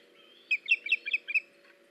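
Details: Osprey recorded by a nest camera on 21 August 2019, with a male bringing a fish to a female: a quick burst of about eight sharp, high whistled chirps over a steady low electrical hum.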